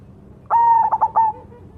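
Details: One phrase from a singing cemani zebra dove: a sustained soft coo breaking into three quick throbbing notes and a final drawn-out coo that fades away.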